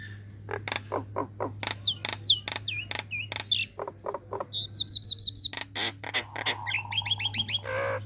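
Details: Female Nias hill myna, in breeding condition, calling to lure males: varied clicks and sharp downslurred whistles, a trilled high chatter, then quick rising-falling whistles and a rough squawk, over a low steady hum.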